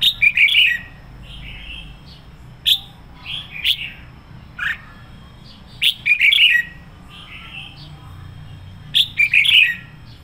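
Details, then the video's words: Red-whiskered bulbul decoy singer in full, fiery voice, delivering bursts of rich warbled whistles with sharp clicks, repeated in phrases every few seconds, softer slurred notes between, faint low background hum. "Chào mào mồi hót sổ bọng căng lửa hay nhất 2020"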